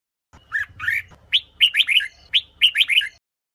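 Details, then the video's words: Two bubbly groups of rising-falling notes from a female red-whiskered bulbul, a sound used to stimulate males to sing, with softer notes first and then brighter, quicker ones. "Chào Mào Mái Kích Trống"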